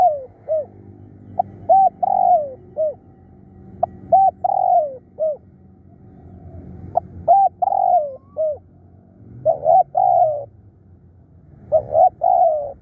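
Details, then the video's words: Spotted dove kept as a decoy bird for luring wild doves, described as fierce and calling tirelessly: low, mellow cooing phrases, each a couple of short clipped notes then a long falling coo, repeated through the recording. "เสียงต่อนกเขาใหญ่ ดุดัน ขยันเรียก"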